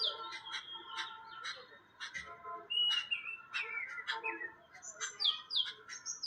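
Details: Noisy jungle babbler chatter: rapid harsh notes in quick runs, a brief pause, then more scratchy calls mixed with high slurred whistles.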